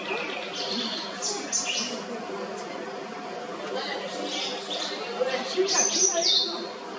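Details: White-browed wagtail in song, delivering bright, high chirps and fluttering trills in irregular phrases, several notes dropping in pitch, against a constant low hum.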